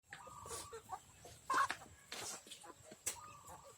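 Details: Free-range backyard chicken flock, out in the open. There are scattered short clucks and squawks, some with a clear tone, heard in brief bursts over a steady low background hiss.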